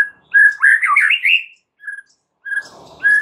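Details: White-rumped shama singing as a lure for other shamas: a rich warbled phrase of rapid rising and falling whistles, then short separate whistled notes and a brief rustling noise.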